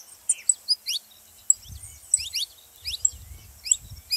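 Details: Saffron finch singing, used to stimulate other canaries to sing: quick high chirps and steep rising slurred notes in short bursts, with faint low thumps in the background.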